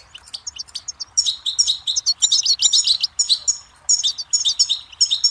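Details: Goldfinch singing on a song tape for training young songbirds: a quiet start, then a dense run of rapid, sparkling chirps and liquid trills that continues almost without a break.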